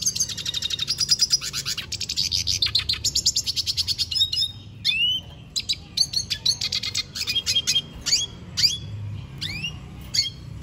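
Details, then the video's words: A Venezuelan goldfinch sings at length, opening with a long rapid buzzing trill, then breaking into varied sharp chips and upward-sweeping whistled notes, delivered without pause. "Pintassilgo da venezuela cantando muito"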